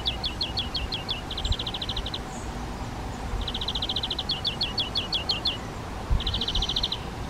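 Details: Spotted flycatchers nesting in a half-open box on a garden shed wall, adults bringing flying insects to young; quick high chirps alternate with fast buzzy ticking bursts, repeated several times against low background hum.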